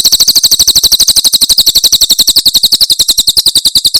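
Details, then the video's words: Javan prinia giving the Cililin 'tembakan' song, a tutoring recording for songbirds: four seconds of continuous, very fast, high, sharp chip notes in a steady rattle, loud and clear. "Masteran Tembakan Cililin SUARA SUPER JERNIH"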